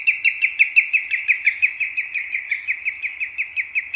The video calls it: 青足鷸/Common Greenshank(Tringa nebularia)singing